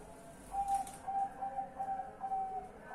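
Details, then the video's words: Zebra dove at night, 10 March 2021, giving a run of short, clear whistled coo notes on an even pitch, evenly spaced, over a faint hiss and a brief click. "BUNYI MALAM PAMIT TIDUR 5x bunyi"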